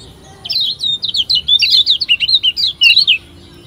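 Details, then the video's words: Lombok white-eye (kecial kuning), a lure recording for young birds to get them singing quickly: a fast, high twittering phrase of short, sharp, slurred chirps running about three seconds, steady and clear over quiet background. "PANCINGAN Kecial Kuning PEMULA‼️Biar CEPAT GACOR‼️"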